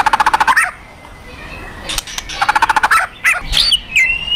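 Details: White-rumped shama fighter giving rattling 'kretekan' calls meant to provoke aggression: bursts of fast, evenly spaced harsh pulses, then a few sharp whistled notes and a rising whistle at the end.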